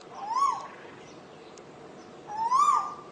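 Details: Asian koel heard more distantly, two soft, rising whistled notes about two seconds apart.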